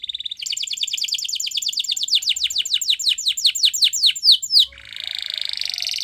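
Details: A Spanish Timbrado canary's training song: a fast run of bright, downward-slurred whistles, about five a second and quickening, breaking into a dry, buzzy rattle near the end.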